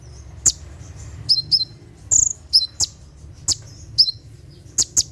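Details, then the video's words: At night a konin, the Brown-throated sunbird, sings 'tembakan' style for caged-bird training: sharp high chirps and short downslurred whistles, some in doubles, over a faint low hum. "SUARA TEMBAKAN KONIN SAAT DIMALAM HARI"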